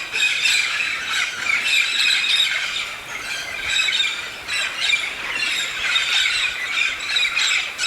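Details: Large flock of Red-spectacled parrots on yearly migration to the Santa Catarina mountains of southern Brazil to eat pinhão nuts; a steady uproar of many raspy, screeching squawks overlapping without pause, rising and falling in waves.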